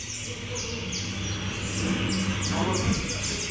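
A seedeater sings quick, high, clipped notes, about four a second, over a steady low hum with faint voices in the background.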